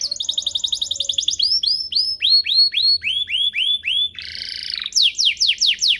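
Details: Domestic canary singing a training song for young birds: a fast trill, then evenly spaced arching whistled notes about three per second, a buzzy burst, and more sweeps.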